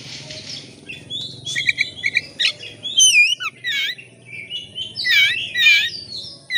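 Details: Oriental magpie-robin in full lively song, tail spread open, played as a lure to set other birds singing: a rich medley of rapid chirps, looping whistles and buzzy trills in quick bursts, with low background hum.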